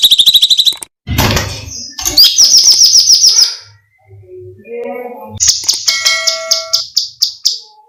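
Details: Cucak cungkok bulbul screams recorded for songbird training: shrill buzzing, a burst of broad harsh noise, a quivering scream, soft low notes, then a series of sharp, fading high shrieks.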